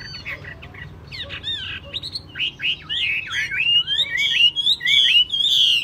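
A Chinese hwamei sings a rich run of varied whistled phrases, with quick up-and-down slurs that grow louder and more elaborate. A faint low hum sits underneath.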